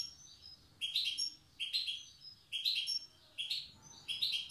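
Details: Wild goldfinch from Tiaret in the old song style: five similar short twittering phrases, each repeated about once a second over a low background murmur.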